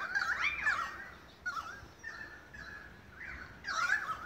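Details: Magpie chorus in Beverly Hills, Sydney, Australia, August 2015: Australian magpies pour out overlapping rich warbles and swooping notes, a loud burst at the start and another at the end, with softer phrases between.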